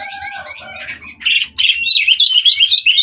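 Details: Oriental magpie-robin (kacer), caged at a breeder in Kroya, singing while mating to rouse rival birds: quick repeated chirpy notes running into a dense stream of high, rich whistles and trills, with a faint low hum behind.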